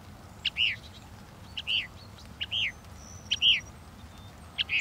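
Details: Northern mockingbird delivering sharp arched notes, each preceded by a brief click, repeated roughly once a second in a steady series.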